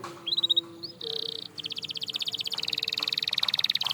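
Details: A canary sings a brief trill and a buzzy burst, then a long, steady, rapid rolling trill.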